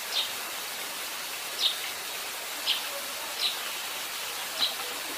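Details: A Eurasian tree sparrow preening on a rooftop gives five short, high chirps, roughly one a second, over a steady background hiss.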